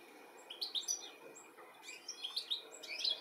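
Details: European goldfinch looking for its young in the UK, 13 July 2017; soft, high twittering calls in two short bursts, partly blurred by steady background noise.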